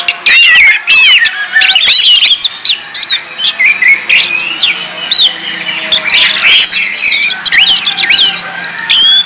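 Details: Training lure of orange-headed thrush song, loud and varied, mixing sharp whistled sweeps, harsher squeaky notes and fast chattering bursts separated by brief gaps.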